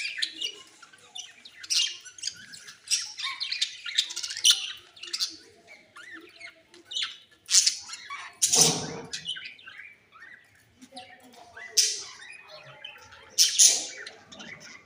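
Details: Budgerigars (Melopsittacus undulatus) fighting, squabbling with harsh, scratchy squawks and rapid chattering bursts.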